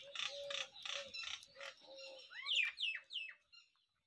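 Jungle babbler giving about five harsh, grating chatter bursts in quick succession, then a brief run of squeaky, falling notes.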